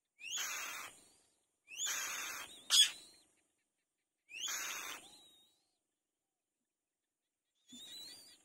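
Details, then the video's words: Mourning dove baby alone in its nest looking for its mother, repeating hoarse, airy bursts with a sharp rising squeak at the start of each, four calls separated by pauses, one sharp click among them. "One Baby Bird in The Nest, He Looking For His Mother"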